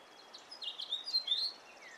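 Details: A male house finch sings in a yard, sometimes with his mouth full: a quick, jumbled warble of high, sliding chirps lasting about a second, with a steady faint hiss behind it; other wild birds seem to join in.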